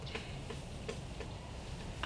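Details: Woodpecker with a bright red crest directly overhead at a tiny house in North Florida on a chilly morning (48 degrees): five sharp, dry taps about a third of a second apart, slightly irregular, over low outdoor rumble.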